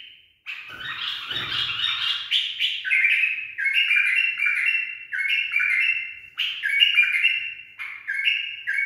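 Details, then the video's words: Tame trained pet bulbul singing a continuous run of rich whistled phrases, each a short stepped warble repeated roughly every second with slight variation; a faint low thump near the start, otherwise clean. "بلبل أليف تخريج صحيح"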